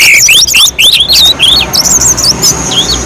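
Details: Mountain-slope orange-headed thrush in full, constant song, meant as a lure for other singers: a fast string of rising and falling whistled notes, about three per second, ending in a thin sustained high tone.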